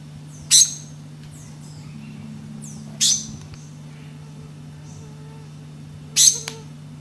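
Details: Black-cheeked gnateater singing, three short explosive high-pitched bursts spaced roughly three seconds apart, with faint thin descending whistles from other birds between them and a constant low electrical hum underneath.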